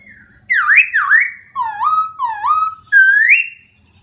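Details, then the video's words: A white-crested laughingthrush sings five loud, fluty whistled phrases over four seconds, each swooping down then sliding up, with a faint low hum behind. "White-Crested Laughing thrush bird songs"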